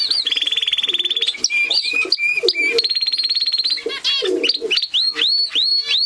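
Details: Song of a Gloster canary: opens with a long, fast mechanical roll, then short chirps, another sustained high trill, and a string of looping upward whistles, with faint lower murmuring beneath.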